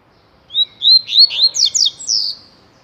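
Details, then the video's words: One tui tui phrase from a coleiro singing a great deal: clear whistles climbing step by step, then buzzy twisting notes and a long falling, fading final tone. "COLEIRO TUI TUI"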